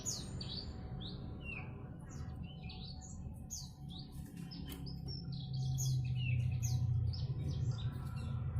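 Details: Bushlark in ngiriwik song, a continuous stream of varied high chirps, quick slurred notes and squeaks, busy and unbroken, with a steady low hum underneath.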